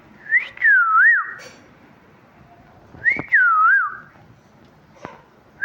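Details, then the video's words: Talking parrot kept as a pet gives a wavy whistled phrase, sliding down then up, repeated twice about three seconds apart, with sharp clicks in the gaps. "Talking parrot chirping sounds"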